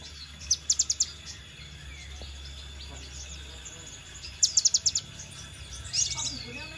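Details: Scarlet minivet lure recording: two bursts of four or five sharp, high, thin notes in quick succession, separated by a long pause, over a steady electronic-like hum and faint insect noise.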